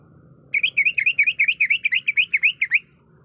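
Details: Female greater green leafbird calling a male while in breeding condition: one tight burst of about fourteen slurred, rising-and-falling chirps over roughly two seconds, clean and loud against a quiet background.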